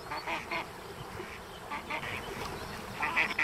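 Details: A female mallard struggling to keep her brood of ten ducklings in order gives short, nasal, rasping quacks in three quick clusters about a second and a half apart, over a soft background hiss.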